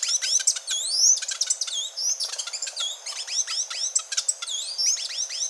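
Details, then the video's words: High, busy chatter of thin rising and falling whistles mixed with quick sharp ticks, continuous for several seconds, from the grey-and-gold tanager, a species resident in Colombia, Ecuador and Panama. "O canto da Saíra platinada"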